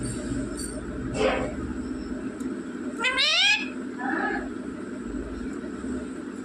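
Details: Pet rose-ringed parakeet speaking mummy and papa: a short noisy burst, then a loud, clear, harmonic, voice-like phrase at about three seconds, and a brief softer syllable after it, over constant background hum.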